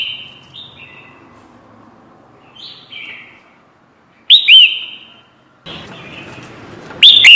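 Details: Red-whiskered bulbul calls used as a trapping lure: short whistled notes near the top of the range, some slurred downward, scattered in soft groups, then two louder sharp bursts after a short silence, over faint background hiss.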